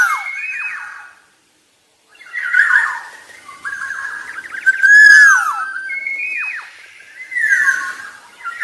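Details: A Black-naped oriole (Oriolus chinensis) sings rich, fluty whistled phrases with sliding notes, separated by short pauses, in a close, slightly roomy setting.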